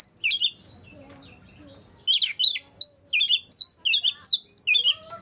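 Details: Song of an Oriental magpie-robin meant to prompt other magpie-robins: opening whistled phrases, a quiet gap, then a steady sequence of bright, repeated whistle pairs about three a second.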